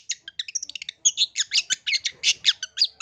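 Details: A lure song of a long-tailed shrike for young shrikes. It is a fast, chattering stream of harsh squawky notes and clipped chirps, about three per second, loud and continuous.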